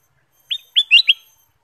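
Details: Kutilang emas bulbul song offered as a lure to make other birds sing: one clear slurred whistle, a short pause, then three quick bright liquid notes, clean and free of background noise.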